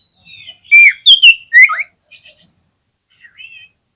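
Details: Oriental magpie-robin song used as a lure so other magpie-robins answer with their full repertoire: four loud, ringing whistled notes with a downward-swooping finish, followed by soft high twitters.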